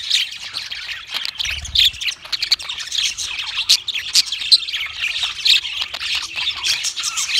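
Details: Singing pet budgies produce a lively stream of buzzy warbles, clicks and bright chirps, overlapping voices keeping an unbroken high-pitched chatter, with a brief low thump early on.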